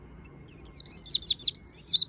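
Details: Vành khuyên white-eye singing a rapid string of high, slurred, sweeping notes, ending in a short drawn-out whistle, clear against a quiet background.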